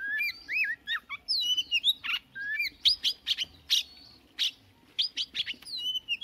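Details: Each morning this newly caught Oriental magpie-robin sings to warm up its voice. Curling whistles and clipped sharp notes come in irregular bursts with short gaps between phrases.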